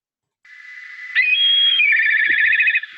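A Black Kite gives a thin, steady whistle that jumps higher, then breaks into a quavering, whinnying trill lasting about a second.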